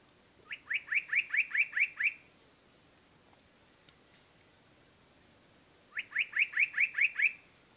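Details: Spot-breasted Parrotbill at Doi San Ju, Chiang Mai Province, Thailand, giving two quick series of about seven to eight sharp, high downslurred notes, each run under two seconds, separated by a quiet pause.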